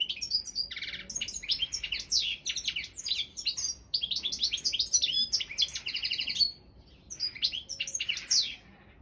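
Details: European goldfinch of the balcanica subspecies, entered in an online world singing championship run by a Serbian breeders' association. Rapid twittering song of buzzy trills, liquid chirps and high tinkling notes in dense bursts, with a brief pause near the end.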